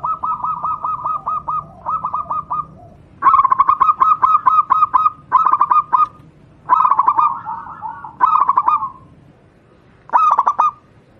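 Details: Local wild Javanese zebra dove (perkutut) song, used as a tutor recording for training other doves: about six bursts of rapid stuttering, fluttery coos, some long and some short, with short pauses between them.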